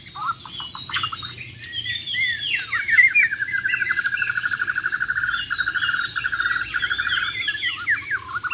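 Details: Champion Bornean white-rumped shama in a contest setting, from Muara Wahau, singing a varied song: a quick burst of chirps, then a long fast rattling trill held for several seconds, closing with swooping whistled notes.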